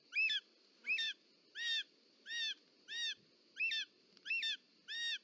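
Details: On 18 July 2024 in Parc Natural dels Ports, Catalonia, a short-toed snake eagle calls at the nest during a snake delivery by the female. Eight ringing arched notes, about one every 0.7 seconds, over soft background noise.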